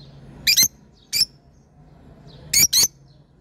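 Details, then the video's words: Lovebird giving harsh, shrill squawks, five in all: two quick pairs and one single, high-pitched and buzzy, with a faint low hum behind. "love birds sound"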